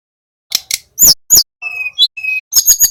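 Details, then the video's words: A young male Little pied flycatcher, used as a lure, learning the 'ngeroll' trill: after a short silence, dry chips and two loud sharp notes lead into steady whistles and a closing burst of rapid chips. "TLEDEKAN GUNUNG BELAJAR BUNYI NGEROLL"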